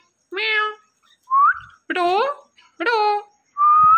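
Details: Talking Indian ringneck parakeet kept as a pet, voicing clear meow-like calls: a flat nasal note, a short rising whistle, two louder wavering meows, then a final long rising whistle, all in a quiet room.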